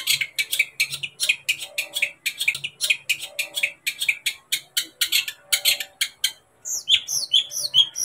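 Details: Long-tailed shrike song for stirring a pet shrike to sing: a steady stream of harsh buzzy chattering notes, then a brief pause and a few sharp downslurred whistles.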